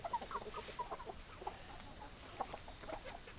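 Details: Hens clucking in quick, uneven bursts of short nasal notes, denser at first, then thinning out, with a soft constant hiss behind.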